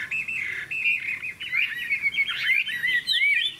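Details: Contest-singing caged Hwamei, a yellow bird with a big tail, delivering loud fluty song: level whistled phrases opening, then quick looping, warbling notes with sharp upward and downward slides.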